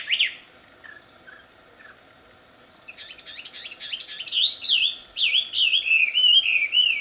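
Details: Wild Wambi singing loudly: a few soft chips, then from about three seconds a loud, rapid, high, continuous run of wavering, sweet whistled notes. It is used as a lure for other wambi.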